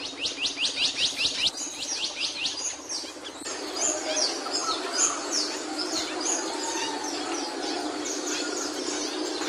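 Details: Singing capuchino seedeater: a quick series of about ten sharp, descending high notes, followed by a busier jumble of twittering and chirps against a steady background drone.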